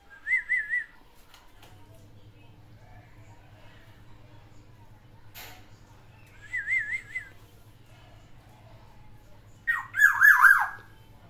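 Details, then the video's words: Black-naped oriole, a kept bird whose song holds three imitated variations, gives three separated bursts: two short wavering whistled phrases with quick up-down trills, then a louder harsher descending whistle series; low steady hum underneath. "CUKUP PUNYA SATU KEPODANG ISIAN TIGA VARIASI"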